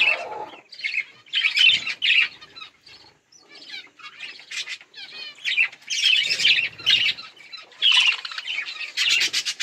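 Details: Budgerigars chirping while eating and playing, with bursts of warbled chatter, a quieter stretch, then louder overlapping scratchy chirps and squeaks.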